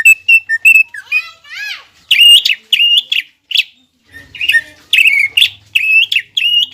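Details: Greater green leafbird singing loudly to provoke a rival into heightened excitement. Quick chirps, a short rising-and-falling squeaky trill, then bursts of bright, varied whistled phrases.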